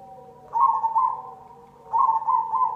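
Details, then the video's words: Zebra dove of the cemani type giving lure song meant to set other doves singing: two bright, rolling coo phrases with a quavering, warbled texture and a quiet gap between them. "Pancingan perkutut cemani"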